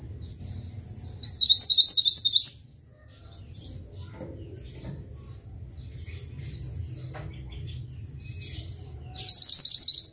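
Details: Mantenan bird song from a training recording for songbirds: a rapid burst of about six high, sharp chirps, a quiet stretch with faint scattered twitters, then another similar burst at the end, over a low rumble.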